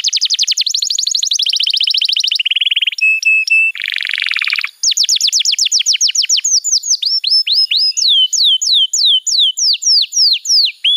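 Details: Canary master song used to train young canaries and prompt silent birds to sing: loud, high tours of rapid repeated notes, a dense buzzy trill, then a long series of sharp descending whistled sweeps about four per second.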